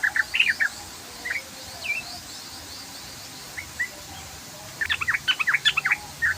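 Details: Sooty-headed bulbul singing the long 'ropel' song style: a burst of chirps, then scattered single notes with pauses, then a dense, fast run of sharp chirps near the end, over a faint insect hum.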